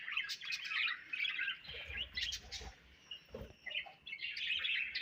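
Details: Several budgerigars chirp and warble in quick overlapping phrases, fading briefly before rising again, with a few soft knocks.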